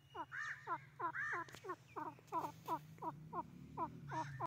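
A grey francolin gives a fast series of loud, harsh, ringing notes, about three each second, over a steady low hum.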